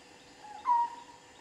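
A juvenile honey buzzard gives one short, clear whistled note, steady in pitch and lasting about a quarter second, over faint background hiss.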